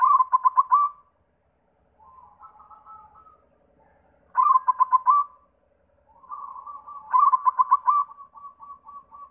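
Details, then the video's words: Lure song of a white zebra dove, meant to set other doves singing: three loud bursts of rapid stuttering notes alternate with quieter purring coos, ending in a short run of evenly spaced soft notes. "Sura Perkutut pitih PAMCINGAN SEMUA JENIS PERKUTUT"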